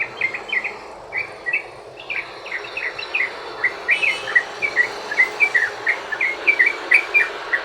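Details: Sooty-headed bulbul in long rapid ropel song, played to lure other bulbuls into singing: a dense run of short bubbly, slurred notes in quick succession, quickening toward the end, over a steady background hiss.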